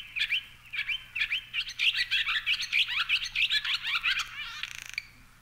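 Barn Swallow singing a fast, high twittering warble of squeaky chirps, about four seconds long, closing with a dry buzzy rattle.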